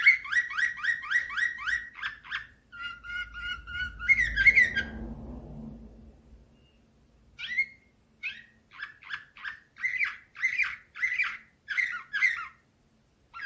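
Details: 2024 recording of a canary in Slavujar nightingale style. Evenly repeated chip notes lead into a flat, pure whistled tone, then a brief rustling noise, then spaced sharp calls and trills.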